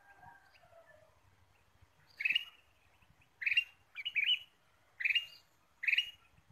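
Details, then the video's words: Ruby-throated bulbul lure: after some soft whistled notes, a series of loud, buzzy, rasping chirps arrives about every 0.8 seconds, including a quick double note, over faint low thumps. "PIKAT KUTILANG EMAS GACOR"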